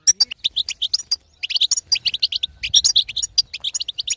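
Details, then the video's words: European goldfinch female betbeta chatter, meant to make a silent male sing; fast, liquid twitters, a brief lull near the middle, then a dense burst of tinkling notes. "أقوى بتبته حسون تهيج وتهبل الحسون الساكت"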